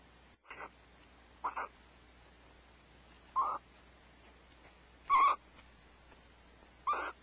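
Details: Barn owls sharing prey at Starr Ranch, 1 January 2012, shortly before 5 am: short raspy hissing screeches spaced one to two seconds apart, some faint and some loud, in a still night.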